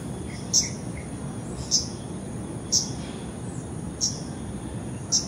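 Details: Arctic warbler giving brief, high, clipped call notes at roughly one-second intervals, five calls in total, with soft lower chirps early on and a constant low background hum.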